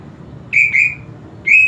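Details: Greater green leafbird, a home-kept bird being stirred toward excitement and breeding drive, sings three clean high whistled notes, two close together and one after a short pause, against quiet room noise.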